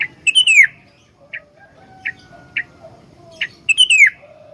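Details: Sooty-headed bulbul singing steadily, a recording meant as a lure and tutor for other bulbuls: rich, rapidly falling warbled phrases at the start and end, with short sharp chips and a thin level whistle in between.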